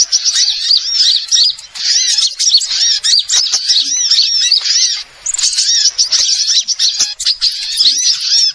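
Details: High, sharp twittering of numerous small birds, taken from a bird-trapping lure sound: busy bursts of squeaky, arching chirps overlap densely, pausing briefly twice.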